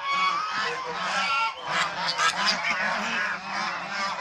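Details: Domestic Chinese swan geese; a dense wall of honking, with a slight dip at one and a half seconds before the loud, harsh calling resumes from several birds.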